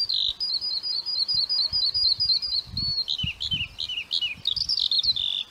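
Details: Lark delivering a clear, sustained high warble of quick chirps, rolling trills and slurred whistles running without pause, with faint soft low background sounds.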